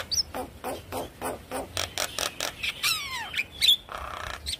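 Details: Javan myna lure song played to prompt a quiet myna to sing: steady harsh, rasping bursts about four per second, a falling whistled slur with stacked overtones, and a buzzy closing note.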